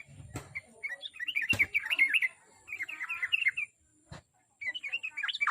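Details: Yellow-vented bulbul lure song for encouraging a pet bird to sing: broken bursts of twittering, warbled notes with short pauses, interrupted by a few sharp clicks or knocks.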